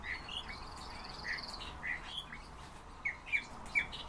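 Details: European bee-eater calling: short, rolling notes near the same mid-high pitch, given in loose irregular series with small gaps, over a faint steady background hiss and a thin higher tone early on.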